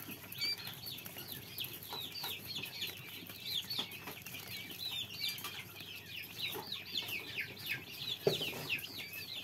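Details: Quail chicks producing a steady stream of high, thin cheeps, several birds overlapping in quick succession, with occasional light knocks and handling sounds in the background.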